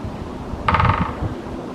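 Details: A woodpecker drumming on a tree in spring gives one brief, very fast drum roll lasting under half a second, over low rumbling wind and background noise.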